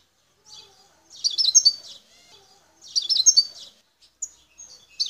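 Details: Wild goldfinch in El Tarf, Algeria, near Bouteldja, giving short separate bursts of scratchy twittering, each about a second long, with faint single high notes between them.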